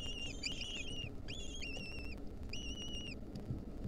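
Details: Wild lesser kestrel nestlings, 2023, being fed a mouse by their mother; drawn-out whistled calls with bright overtones come in bursts, some wavering, over a steady low background hum.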